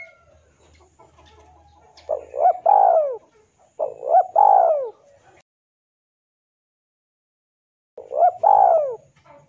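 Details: Male spotted dove's rival call, used to lure: three cooing phrases, the first two close together, the third after a silent pause, each with a short coo, a rising note and a long falling coo.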